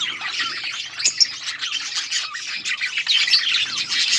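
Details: Feeding budgerigar colony producing a constant chorus of high chirps, buzzy warbles and squawks from numerous birds, dense and unbroken.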